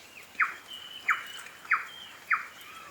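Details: New Zealand bellbird, or korimako, feeding on insects in winter in the Maungakotukutuku Valley near Kapiti; four short, bright, slightly descending notes spaced about two-thirds of a second apart, with a faint higher whistle in the background.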